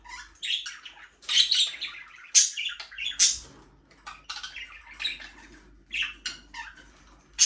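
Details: Several budgies kept in a small aviary chatter continuously, mixing warbled chirps, rapid twitters and piercing high squeaks in uneven bursts, with no music or other sounds.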